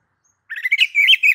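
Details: Oriental magpie-robin, ngeplong master song for stimulating singing: a short, dense warbling phrase of rolling whistled notes starting after a moment of quiet.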